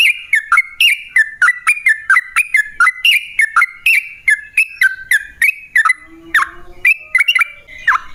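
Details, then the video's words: Yellow-vented bulbul lure song for prompting other bulbuls: a fast stream of bright whistled notes with downward slurs, chattering on without pause, then a few louder scattered phrases near the end. "Masteran Kicau Burung Trucukan Gacor Dor Pancingan Pikat"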